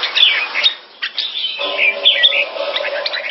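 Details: Caged Red-whiskered Bulbul in Singapore doing keke calls on command: tumbling squeaky and whistled notes in quick succession, with a low steady hum underneath.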